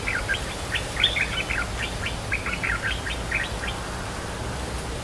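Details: Cream-vented bulbul, territory holder replying to a challenger, with a quick sequence of sharp clipped notes, about a dozen in a row, above faint steady noise.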